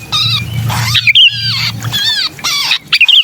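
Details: Sooty-headed bulbul distress cry, used to lure hard-to-catch bulbuls: loud, raspy, nasal squalls rising and falling, with sharp whistled notes near the middle and end, over a low droning background.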